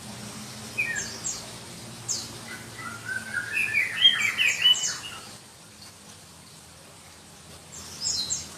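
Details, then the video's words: Black-breasted Oriental magpie-robin (kacer dada hitam) from Berau, East Kalimantan, a songbird kept for song contests; a burst of shrill, varied whistled phrases in the middle, with faint chirps before and after and a low hum. "Kicau Kacer Kalimantan"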